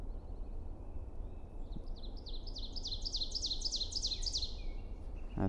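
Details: An ovenbird perched about 20 feet up in New England woods on a sunny, windy day sings a ringing series of repeated two-note phrases that grow louder toward the end, over low steady background rumble.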